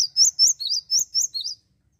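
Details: Java sparrow singing to provoke rival birds: a run of seven clear, high whistled notes, each rising then falling, spaced about a quarter second apart, ending abruptly in silence.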